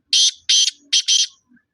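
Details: Black francolin (kala teetar) calling on 21 February 2025 at about 6:15 in the evening: four loud, harsh, grating bursts in a quick pattern, the last two close together, over a quiet background.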